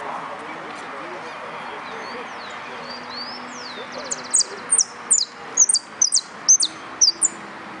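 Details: Yellow canary at a singing competition: quiet at first, then a short buzzy trill and a fast series of high, sharply dropping chirps repeated about twice a second; a voice speaks low in the background.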